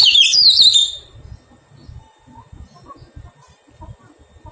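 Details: Wild-caught Oriental magpie-robin kept for taming delivers a brief, vigorous burst of twisting, warbled whistles, then falls silent apart from soft low background knocks and faint distant notes.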